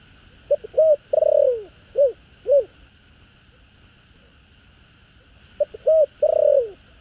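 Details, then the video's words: Spotted dove calling coo, 'thổ đồng' voice with two trailing notes, aimed at stirring up wild doves. One full low phrase of short hoots, a long falling trilled coo and two short end notes, then the next phrase begins after a pause. "Chim cu gáy GÁY GỌI 2 HẬU giọng THỔ ĐỒNG Chuẩn . Tiếng cu gáy thổ đồng kích bổi"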